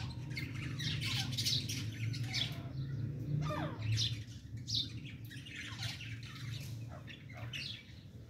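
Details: A female francolin tries to fight with chicks; harsh squawking notes and sweeping chirps come in quick irregular bursts, louder in the middle, over a steady low hum.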